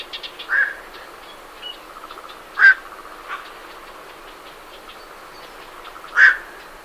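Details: Night herons flying out from a roost, close: three loud, abrupt hoarse 'kwok' notes about two seconds apart, while Great Reed Warblers chatter quietly behind.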